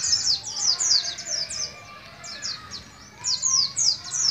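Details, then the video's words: Young Oriental white-eye from Moga, Pemalang, Central Java, just beginning to learn the ngalas ngeroll song style: rapid, high, thin chirps and sweeping whistled notes, about three or four per second, with a brief pause midway. "Pleci Endemik Moga"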